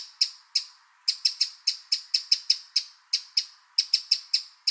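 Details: Hard, high ticking calls of a wild Eurasian wren, delivered in irregular clusters and single notes, sharp-edged and quickly decaying, with nothing else audible.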